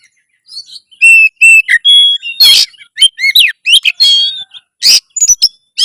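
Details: Loud, lively Oriental magpie-robin song meant to raise breeding drive and fighting mode. It starts with paired, level whistles and moves to a dense run of harsh bursts, looping whistles and quick chirps, with scratchy notes in between.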